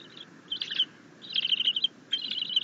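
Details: Happy bald eagle eaglet being fed a fish by its mother at the nest after self-feeding on a rabbit. Three loud, close bursts of piercing, rapidly pulsed chittering.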